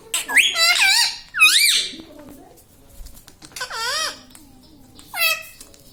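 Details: Talking parrot saying "mummy papa": four separate nasal, ringing phrases, each bending up and then down, spaced a second or more apart in a quiet room.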